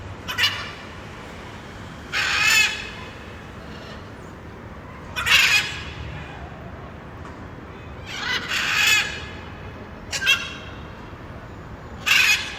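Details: Blue-and-yellow macaw (Ara ararauna) in the wild: a series of raucous, rasping screams every two to three seconds, some doubled, harsh and noisy, with steady background hiss between calls.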